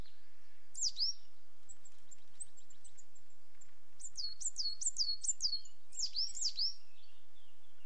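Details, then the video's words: Coal tit calling: a short high descending note near one second, then after a pause a quick run of thin, high slurred notes dropping in pitch, repeated in tight groups, with faint high ticks between and a quiet background. "Coal Tit sound"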